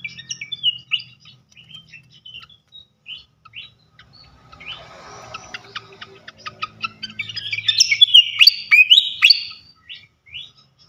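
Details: Flycatcher lure song for setting off other flycatchers: sparse high whistles and short notes at first, a soft hissing stretch, then an intense burst of rapid sharp chirps and sweeping whistles.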